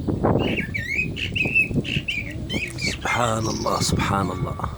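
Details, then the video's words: A common blackbird sings during the call to prayer: a run of short, fluty whistled notes in quick succession, then a busier, harsher stretch of mixed sound over low background rumble. "Lovely Black Bird Voice صوت المسوود مع الاذان - طائر المسود مع الاذان"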